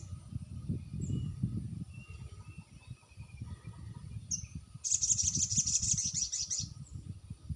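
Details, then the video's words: Crested jay call played as a lure to draw a response: after a stretch of low rumbling background, a fast, high-pitched chattering rattle runs for nearly two seconds. "sogon bisu dijamin nyaut dengan pacingan burung sogon ini"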